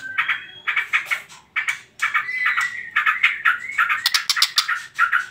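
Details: Trotol song of a white-rumped shama used as a lure for other birds: rapid stuttering phrases with short whistled glides, then fast, sharp high ticking near the end.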